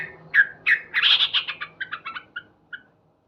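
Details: Loud morning song of a male sooty-headed bulbul: two bright emphatic notes, a quick rich bubbling cluster, then a run of short chirps that slows and fades into two final spaced notes.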